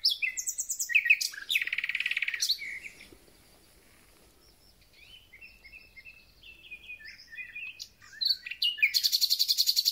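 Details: Thrush nightingale in full song at the start of spring: loud harsh rattling bursts open the phrase, followed by quieter scattered whistles and chirps, then a fast, evenly repeated loud rattle at the end.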